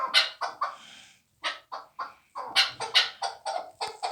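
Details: Young fighting chukar partridge from last year calling in harsh, clucking bursts, several quick notes, a pause near mid-clip, then a denser run of chuck notes.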